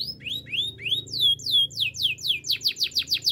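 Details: Gloster canary song intended for training canaries: upward-curving notes that turn into falling sweeps, repeated faster and faster, over a low steady hum.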